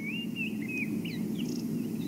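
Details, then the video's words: Early on a winter morning, a drongo in a mixed bird party with southern black tits and crombecs gives short, clear, sliding whistled phrases mimicking a robin, and also a black-crowned tchagra, over low rumble. "That you can hear. There's a drongo mimicking a robin."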